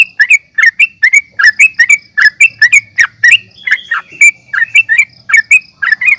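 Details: Sooty-headed bulbul (trucukan) calling aggressively in a fighting display used to goad other birds: a continuous train of loud, sharp chirps with a slurred downward twist, repeated roughly three times a second.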